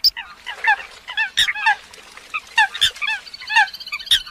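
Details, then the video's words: Eurasian coots giving short honking, downslurred notes in quick irregular bursts, several birds calling over one another, with a few sharp clicking accents and a steady faint hum underneath. "tiếng chim sâm cầm"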